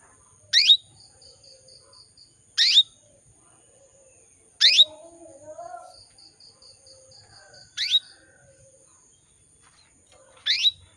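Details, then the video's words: A female canary chirps to attract males: single sharp, high chirps falling in pitch, spaced about two seconds apart, with faint soft twitters and low murmurs between them. "PANCINGAN KENARI BETINA MEMANGGIL JANTAN"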